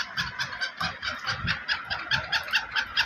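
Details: Black francolin, a Sindhi black type, giving harsh, buzzy notes repeated about twice per second in a steady, pulsing series with no pause.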